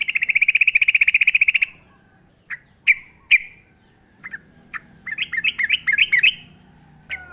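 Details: Yellow-vented bulbul in energetic forest-style song with nature sounds: an opening fast buzzy rattle lasting over a second, then sharp separate chirps, building into a quick string of rising, bubbling notes.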